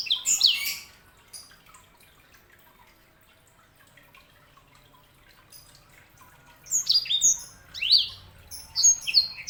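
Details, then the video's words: A sanger canary hybrid opens with a short burst of high chirps, falls silent for several seconds, then resumes with scattered sharp, downslurred whistled notes. "KICAUAN SANGER"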